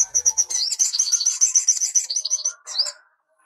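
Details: Sunbird song, called sogok ontong, played as a model for young birds: a continuous fast run of high, sweet chirping notes, several per second, ending in a short squeaky phrase before silence.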